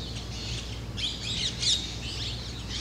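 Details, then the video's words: A pair of Black Drongos perched on white temple spires in Rajasthan, India, which they use as perches to sally out after flying insects, giving harsh, metallic, squeaky notes, with a burst of sharper calls in the middle over a low hum. "Black Drongos"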